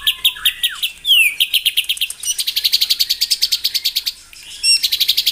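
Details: White-rumped shama song played in the morning to provoke rival birds into singing: a low whistled slur, then a sharp descending sweep, followed by a long fast train of bright repeated chips about six per second, ending in high ringing notes.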